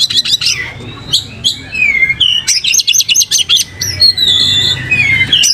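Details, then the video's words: Kacer, the Oriental magpie-robin, in full lively song with tail opened: scratchy chattering notes, then sweet downslurred whistles and a quick run of sharp repeated high notes, ending in drawn-out whistled glides over a low steady murmur. "pancing Kacer gacor buka ekor"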